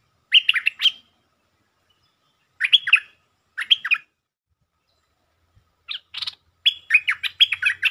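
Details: Stripe-throated bulbul, a provoked territorial resident bird, giving lure-style sab-rik song: three bubbly, chattering bursts in the first four seconds, then a longer run of quick jumbled notes after a pause. No other sounds.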